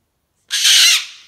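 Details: Caged pet cockatoo indoors letting out a single loud, raspy, broadband scream lasting about half a second, just as its owner scolds it for yelling.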